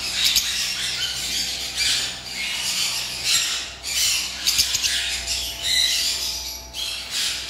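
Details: Lovebirds at a bird farm: several birds squawking and chirping shrilly in rapid overlapping bursts, with short pauses between loud spells and a low background hum.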